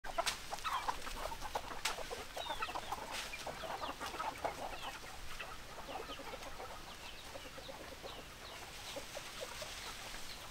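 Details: Chickens clucking together after being called with a favourite feed, a busy chatter of short, sharp clucks and squeaky notes, many overlapping each second with no long crow.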